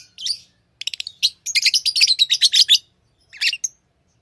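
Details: Tame lovebirds calling in a rapid run of sharp, scratchy high chirps, a dozen or so packed into about a second and a half, then a brief gap and a final pair of notes; no other sounds.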